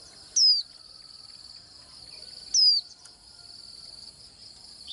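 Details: Two brief, piercing whistles from a Swinhoe's white-eye, each falling in pitch, about two seconds apart. Continuous insect hum sits behind them.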